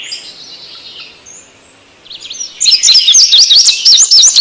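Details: Male bird calling for a mate: after soft, distant high notes, a loud run of fast repeated up-and-down chirps starts midway and carries on steadily.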